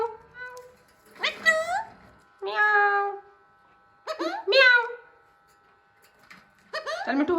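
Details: Hand-tame Alexandrine parakeet trying to talk: a few loud, harmonic, rising and falling squawked syllables in short bursts separated by quiet gaps, with a steady faint hum in the background.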